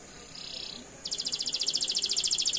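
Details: Canary singing a long roll meant to provoke other canaries to respond: a brief soft high buzz, then a fast, even, very high trill of rapidly repeated pulses continuing to the end.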